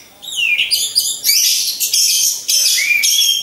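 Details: Caged orange-headed thrush, several hung side by side for training, giving a lure song to provoke rivals: loud, dense high warbling with slurred whistles and chattering bursts, barely pausing.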